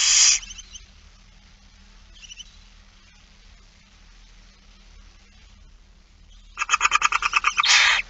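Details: Barn owl feeding scene from 8 September 2019, afternoon: a short hiss, faint chirps, then a fast series of about ten clicking, ticking pulses merging into a loud rasping hiss.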